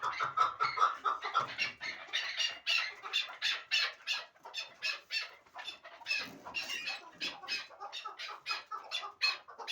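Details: Hybrid partridge bred for fighting and hunting, calling in a loud series of raspy, broadband chuk notes, about three a second, in uneven bursts with short gaps between phrases.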